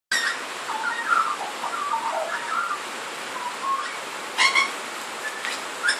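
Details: Australian magpie going through its repertoire while sheltering under a carport's tin roof in rain: mellow warbled and fluting notes, rising and falling, with a few sharper high notes near the end over steady rain hiss and loud drips.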